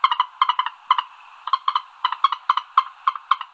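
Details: Common moorhen (Gallinula chloropus) call: sharp, nasal, mid-pitched clucking kek notes in quick pairs and triplets, repeated several times a second.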